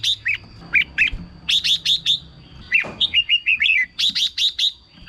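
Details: Caged red-whiskered bulbul singing to excite others: sharp chips and fluty slurred notes, then a quick descending string of whistles around three seconds, ending in rapid chips; faint low hum behind.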